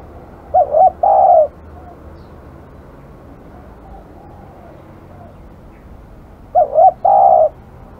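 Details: An aggressive spotted dove repeats its cooing phrase twice, roughly six seconds apart, each a quick double note followed by a long steady coo over a quiet background.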